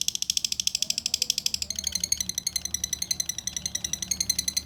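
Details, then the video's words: Lovebird giving a relaxed ngekek, a long chattering song used as a prompt for lovebirds that have stopped singing: rapid, harsh, high notes repeated about ten times a second without pause, the pitch shifting upward partway through. "Suara Lovebird ngekek santai pancingan lovebird macet"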